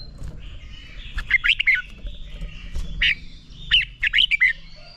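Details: Red-whiskered bulbul training song used to kindle fighting song. Two short phrases of quick, warbled, slightly harsh notes, separated by one isolated note, over a steady faint high tone and low background rumble.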